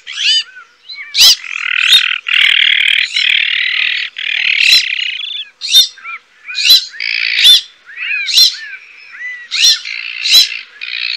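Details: Azure-winged magpie (Cyanopica cyanus): a long, grating, buzzy rasp opens, followed by a string of sharp chirps and shorter rasps repeated about once a second.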